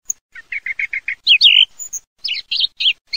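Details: Song thrush delivering a fast series of six identical short notes, then a loud slurred whistle and a set of repeated bright, warbled phrases; background quiet.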